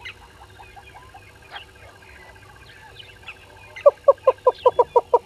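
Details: At 05:44 on 10/02/21, a yellow-billed hornbill calls at Gowrie dam, Djuma Game Reserve, Sabi Sand Wildtuin, South Africa. Soft scattered bird twitters come first, then a quick series of seven strong, hollow clucks that build in loudness.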